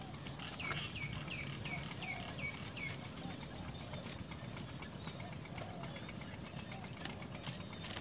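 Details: Great myna, a parent bringing earthworms to feed its chick: about eight short, downward-curving chirps in quick succession over the first three seconds, then only faint scattered calls over steady low background rumble and occasional clicks.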